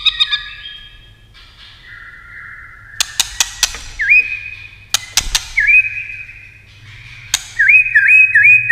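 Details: Competition-singing white-rumped shama: spaced phrases of flat and upslurred whistles, a quick looping trill at the end, separated by sharp snapping clicks and quiet gaps.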